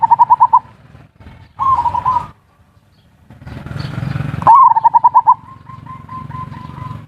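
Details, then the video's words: Perkutut song of ngerot and kuwor type, used as a lure to excite breeding and make lazy birds sing: repeated fast rippling coo trills, one opening with a sharp upward note, with brief breaks of low rumbling noise. "Suara pancingan perkutut ngerot dan kuwor cocok untuk perangsang birahi dan burung malas bunyi"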